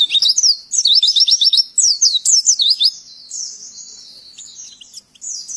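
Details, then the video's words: Oriental white-eye training song for teaching other birds: about three seconds of fast, high, chirping phrases in repeated clusters, then quieter thin sustained twittering. "Masteran Pleci Pemula Auto Nyautt"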